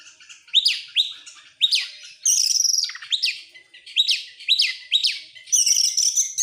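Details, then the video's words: Excited Oriental magpie-robin with tail opened, repeating rising upslurred whistles about twice a second, broken by buzzy high rattling phrases. "sekali dengar langsung EMOSI NGOBRA GACOR BUKA EKOR, burung kacer nembak,Kacer gacor"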